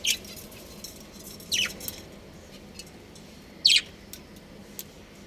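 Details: Pet budgies kept at home, playing and happy: three short, bright chirps that each slide downward, spaced a second or two apart over a quiet room hum.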